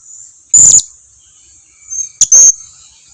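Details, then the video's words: Two shrill, squeaky high notes from a Blue-crowned hanging parrot, separated by over a second and a half, given as a lure to make other hanging parrots answer; a quick click precedes the second note, and a faint high tone runs throughout. "Suara pancingan serindit ini dijamin serindit lain yang jarang berbunyi pasti langsung nyahut"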